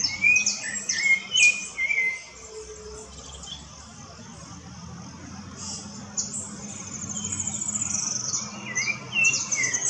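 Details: Rufous-bellied thrush singing in the woods: short whistled phrases near the start and again near the end, mixed with many sharp, very high chirps and a steady low hum in between.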